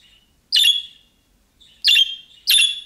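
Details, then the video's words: Budgerigar calling chirps, in the style of young birds, that other budgerigars answer: three loud, rasping, broad squawks, the last two close together, with a faint softer chirp between them. "MUHABBET KUŞU SESİ Kuşunuz Bu sese Karşılık Verecek Kuş Sesi"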